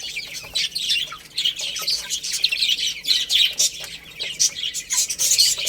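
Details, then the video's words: Baby chicks pecking at rice, their many high-pitched peeps overlapping in an unbroken, twittering chatter punctuated by sharp clicks. "Beautiful Chicks Chirping Sounds"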